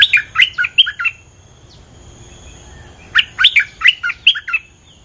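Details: Bulbul song used as a lure to draw a territory owner. Two similar phrases of five or six sharp, rising and falling chirps, nearly three seconds apart, with steady faint high hum behind.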